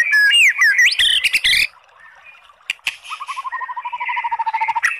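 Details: Oriental magpie-robin song meant to rouse a sluggish bird to reply: a rush of looping whistles and harsh rasping notes, a brief pause, then a fast even series of short clicking notes trailing into soft chatter.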